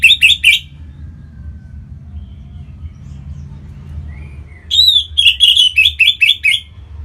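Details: Kept orange-headed thrush song meant to spur other birds to sing: brief chirps, a pause with faint whistles, then a lively run of repeated bright, buzzy notes about four per second.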